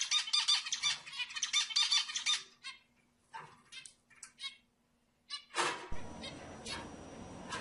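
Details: Zebra finch song for prompting females to mate, heard as two quick phrases of buzzy, rasping notes, followed by scattered softer notes and then a burst of broad background noise.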